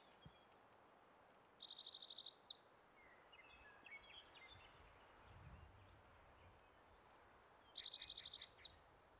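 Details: Territorial male spotted towhee in Nebraska's Metcalf Wildlife Management Area, May 23, 2023. Two songs six seconds apart, each a fast, ringing trill of repeated notes closed by a swooping downward note. Faint chirps from other birds in between.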